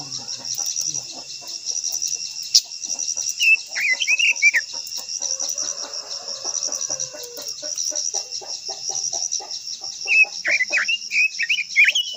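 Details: Japanese white-eye gives short, sharp, looping whistled phrases, separated by a long pause, against loud continuous insect buzzing and scattered faint clicks.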